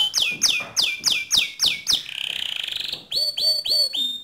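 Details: Pure white canary singing: loud descending whistled notes repeated about every quarter second, a brief fine trill, then more falling sweeps.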